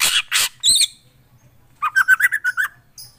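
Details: Lively black drongo song, opening with harsh loud bursts and a whistled note, then a rapid run of about seven short chattering notes, over a faint low hum.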